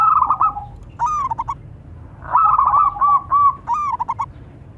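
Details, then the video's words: Local zebra doves, male and female, calling and answering each other: soft, mellow cooing phrases, each opening with a drawn note and breaking into quick staccato coos, two phrases trading back and forth over a low background hum. "Suara perkutut lokal saling sahut."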